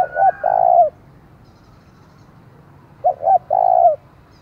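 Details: Decoy spotted dove whose ringing call is played to provoke rival doves; two phrases, each two short clipped notes then a long steady coo ending with a slight drop, about three seconds apart.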